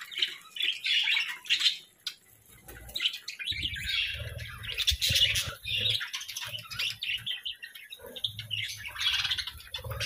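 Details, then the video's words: Parakeets kept as pets chirp in a run of short, bright twittering phrases separated by brief gaps, over a faint low hum. "Parakeets' Daily Routines"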